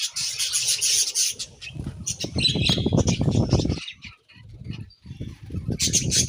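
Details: Budgies chirping while eating, with high chatter at the start and end and low knocking and rustling noises filling the middle section.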